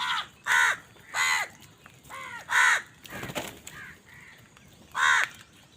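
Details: Crows competing for food give six loud, grating caws at uneven spacing of under a second. A short burst of rustling noise is heard near the middle.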